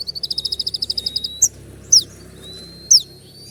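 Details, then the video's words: Sunbird (kolibri ninja) song meant to make other birds answer: a rapid, even trill of high pulses, then sharp high downward slurs and a thin rising whistle. "putar sekali koninmu pasti nyaut masteran suara tembak yang buat konin emosi"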